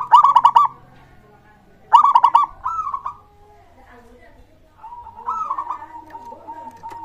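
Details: Zebra dove song used as a lure to prompt other birds to answer and sing: two rapid stuttered coo bursts followed by slurred rolling coos, with a lower sustained cooing tone toward the end and faint low hum.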